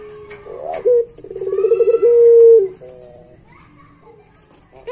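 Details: Pet Barbary dove, kept as puter pelung, singing for a master recording used to train other doves: a low cooing that breaks into a rolling, bubbling trill, then swells into a long steady drawn-out coo before fading.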